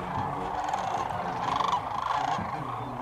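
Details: Dusk chorus of migrating sandhill cranes at the Platte River near Alda, Nebraska, from a watchers' blind: countless overlapping rattling, bugling calls merge into a steady, thick wall of sound with brief louder surges.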